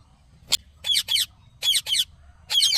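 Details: Indian ringneck parakeet talking: short harsh squawky bursts in pairs, a sharp click, then two double phrases and a longer raspy utterance, with faint low background noise.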